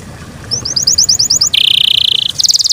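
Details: Yorkshire canary song from a cared-for bird: a short series of high clipped notes, then a steady buzzy roll, then a quick bright trill.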